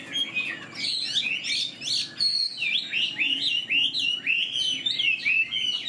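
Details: Chinese Hwamei kept in a cage, new plumage and spread tail, singing with tail flicks: fast varied phrases of bright whistled slurs, rising and falling notes tumbling one after another with short pauses between bursts.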